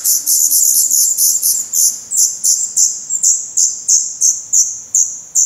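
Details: Young black redstarts in the nest, Portugal, 16 May 2020: sharp, thin, very high notes, at first crowded together, then separating into distinct slurred calls about three per second.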